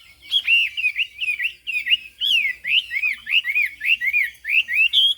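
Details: Chinese hwamei song: a steady series of clear whistled notes, each rising and then falling. The notes repeat roughly every third of a second, in a fluent, sweet-toned run with no other voices.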